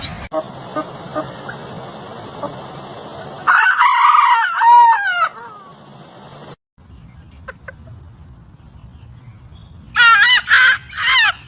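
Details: Rooster crowing in the morning over steady background noise: a wavering crow in the middle, then a burst of short crow-like notes near the end.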